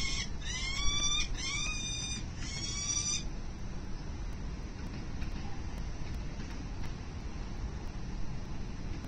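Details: Peregrine falcon nestling in its nest at 367 Collins, 3 November 2024, trying to eat without its mother's help; tail feathers fully grown, flight and chest feathers developing. Four loud, harsh, wavering cries in quick succession over three seconds, then steady low rumbling background noise.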